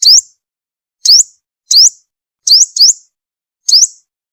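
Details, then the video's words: Sunbird call used as a trapping lure: six high, sharp upslurred chirps, two given back to back, spaced over about four seconds. "Tiếng chim hút mật mồi gọi bổi"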